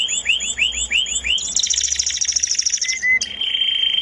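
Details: Canary singing melodiously, opening with a row of quick upward-swept chirps, then breaking into a dense, high, rapid trill with a short whistled note near the end.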